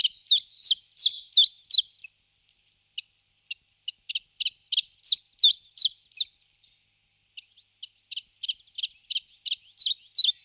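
Common Chiffchaff singing its steady, high chiff-chaff song, with about two to three notes a second alternating in pitch, each phrase a run of a dozen or so notes.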